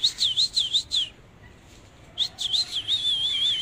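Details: Displaying Oriental magpie-robin, dancing as it sings: a rapid series of looping, warbled whistles, a short pause, then more looping notes flowing into a long, wavering trill.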